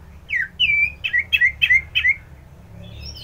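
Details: Orange-headed thrush song of six slurred, falling whistles delivered in a lively rhythm, each note dropping in pitch, with a faint high twitter at the end.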